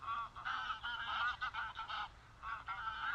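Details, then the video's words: Greylag goose honking in the wild, a quick run of nasal, slightly wavering honks over about three seconds. "Greylag Goose Sound – Song & Bird Calls"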